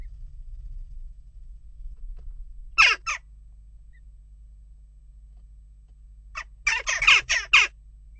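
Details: Western jackdaws restless at a nest box: a harsh double call, several quiet seconds, then a rapid cluster of raspy chak notes; steady low hum in the background.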